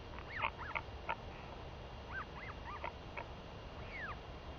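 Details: Vocal female northern royal albatross chick begging her parent for lunch, 23 May 2021; irregular clusters of high squealing chirps, one ending in a long falling whine, over constant hissing background.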